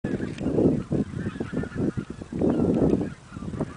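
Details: Cackling geese (Branta hutchinsii) at Warta Mouth National Park on 31 March 2011 give rough, overlapping honks and cackles. A busy flock's calling swells into two louder bursts, with no other clear sounds.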